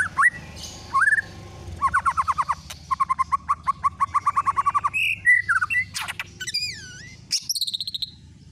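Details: White-rumped shama song played as a lure to make another shama sing: a long run of fast repeated chattering notes, then varied loud whistles, rippling trills and clicks.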